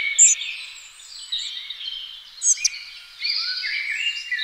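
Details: Two young spotted flycatchers being fed: sharp, very high short squeaks burst out twice over a dense, steady wash of twittering birdsong from other birds.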